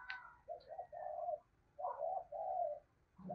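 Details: Caged decoy spotted dove calling in the 'giọng thổ' style. Low, soft, hollow coo notes come in short runs with gaps between them. A sharp click opens the recording. Background is quiet.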